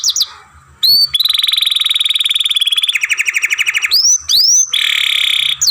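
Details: Young caged canary, masteran song: short opening notes, then a long steady buzzy roll, a pulsed rapid trill, two rising upsweeps, and another sustained buzzy phrase, all loud and high-pitched.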